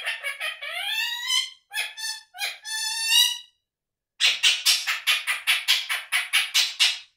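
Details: Indian ringneck parakeet kept as a pet, talking and making sounds non-stop: a run of harmonic, rising squawks, then after a short pause about a dozen loud, sharp calls repeated in quick, even rhythm.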